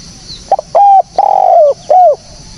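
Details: Spotted dove recording meant as a lure for bird trapping: a brief double note, then a series of loud, clear mid-pitched coos, the middle one drawn out and slightly falling, with a quiet background.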